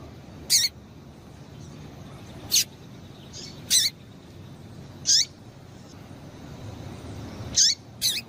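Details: Female double-collared seedeater calling to excite the male, a 'tui tui' call: six short, high, sharp notes spaced irregularly across the clip, several ending in a quick downward sweep, over a steady low hiss.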